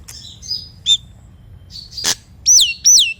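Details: Nias hill myna singing, used to stir silent mynas into song: soft scattered whistles and a click, one harsh burst, then two loud high arched whistles falling away.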